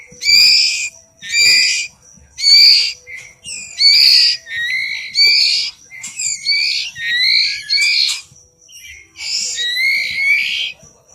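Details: Young Oriental magpie-robin begging while being fed: loud, grating, high screeches repeated roughly every second, later running into quicker, clustered rasping notes with a slight rise and fall.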